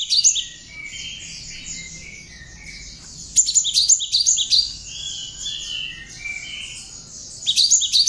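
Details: Cinereous tit (gelatik batu), tame and hand-raised, singing its learned ciblek (prinia) filling as a training master: quick clusters of shrill high notes at start, around 3.5–4.5 seconds and at the end, with steady high twittering between.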